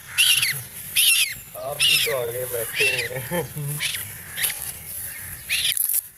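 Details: A frightened duckling gives loud, shrill crying peeps about once a second, in short bursts, while people talk nearby and try to chase it.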